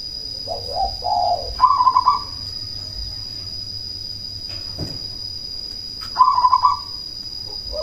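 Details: Cemani zebra dove with a loud voice, meant to rouse rivals and breeding drive: two low hoarse coos followed by a rapid pulsed trill, silence for several seconds, then another quick trill, above a steady high whine.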